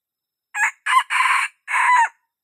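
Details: Single crow from a red junglefowl, broken into four hoarse, rich bursts, the later ones longer and fuller, with no other sounds.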